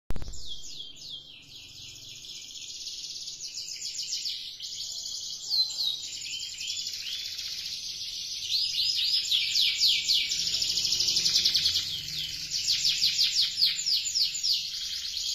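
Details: Canary singing prolifically, prompting other canaries to join in: a long, continuous, bright high song of rapid trills, buzzy rolls and quick descending sweeps, swelling louder toward the middle and end, with a faint low background hum.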